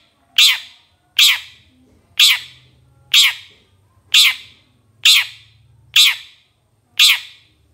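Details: Harsh grating calls of a long-tailed shrike on a songbird-training master recording. Eight loud rasps come at steady intervals of about one second, each with a sharp onset and a short decay.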